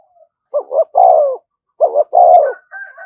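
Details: Spotted dove cooing urgently as a lure for wild doves: two phrases, each a short double note then a long low slurred coo, followed by a faint higher whistled tone.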